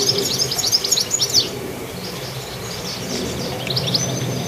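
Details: Goldfinch chirping: an opening flurry of bright, high twitters and short slurred notes, fading to faint scattered chirps over a low outdoor hum.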